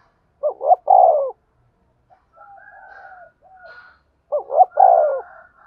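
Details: Spotted dove kept as a decoy for lime-stick trapping coos twice, each phrase a stuttered double note and a long falling coo, with softer drawn-out cooing and higher faint notes in the gap.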